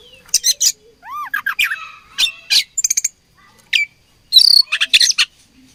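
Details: Fighting oriental magpie-robin singing a varied, jumbled phrase: an arched whistled note, quick sharp chips, rattling trills and scratchy bursts, delivered in rapid clusters with brief pauses.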